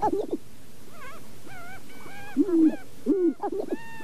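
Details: Sharp-tailed grouse in the Namekagon Barrens, northern Wisconsin, captured on two Sennheiser ME67 microphones with a Canon 5D Mark II: a few short low clucking bursts separated by thin, wavering whine-like notes.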